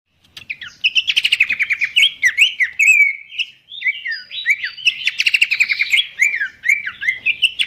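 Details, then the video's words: Pelanduk semak babbler giving its melodious song, used as a master song for training birds: rapid buzzy trilled bursts mixed with sharp downslurred whistles and short chirps, phrases running almost continuously with a brief pause near the middle. "goyangan merdu khas burung pelanduk semak"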